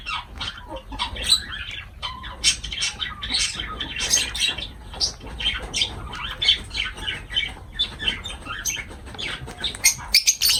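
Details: Lovebirds kept as pets, chattering while feeding: dense, high, scratchy chirps and squeaky squawks pour out almost without break for ten seconds, overlapping voices, with a soft low hum beneath.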